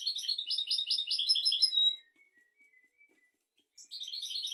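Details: Goldfinch tutor song for goldfinches and canaries: a two-second run of fast tinkling twitters, a pause with faint thin whistles, then the twittering resumes.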